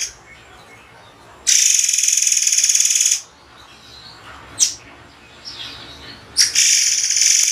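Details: White-rumped shama, called murai air, in a tutor recording: a harsh buzzing burst of about two seconds, then quiet with faint notes and a short whistle, and another buzzy blast.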